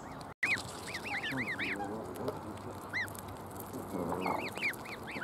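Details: Canada goose goslings in a creche on a lake give rapid, high, arched peeping squeaks in quick bursts, several overlapping, over a steady low background rumble.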